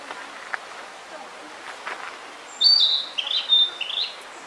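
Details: On Mount Rokko a narcissus flycatcher sings a run of high, warbling whistled notes in the second half after a quiet start with faint distant sounds.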